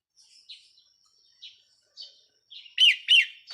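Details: Red-whiskered bulbul used as a decoy bird, 4 May 2023: a few soft, high chirps spaced about half a second apart, then two loud, full, bubbling notes in quick succession.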